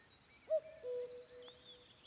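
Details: Common cuckoo calling on a May evening in the Vändra forests of Pärnumaa, Estonia, with slightly unusual cuckooing. One clear cu-coo phrase: a brief high note, then a steady lower note. Thin, high warbling from other birds behind it.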